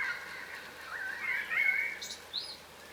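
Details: Yellow rosellas, an unusual-looking crimson rosella subspecies, foraging on the ground in Australia; soft fluty calls waver and slur upward and downward, swelling halfway through before a couple of brief higher squeaks close.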